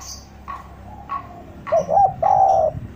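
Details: Coos of a spotted dove kept as a lure to draw wild doves down. Faint high chirps lead into two short hooting notes and a long, level final coo.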